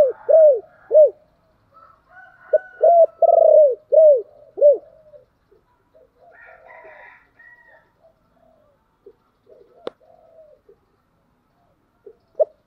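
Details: Spotted dove, a recording used as a lure so wild doves coo in reply, gives a loud phrase of short arched downslurred coos with a trilled note. Fainter calls follow, with a sharp click near the end.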